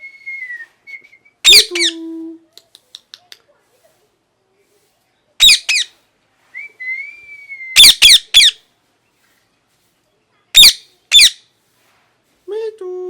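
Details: Parrot giving repeated loud harsh screeches, often in pairs, between level whistled notes and a few soft low hoots, with brief ticking clicks.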